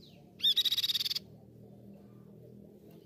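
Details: Grey-cheeked tit-babbler, a recording meant for training and provoking caged birds to sing: a single fast trill of about a dozen evenly pulsed high notes lasting under a second, over steady low background hum.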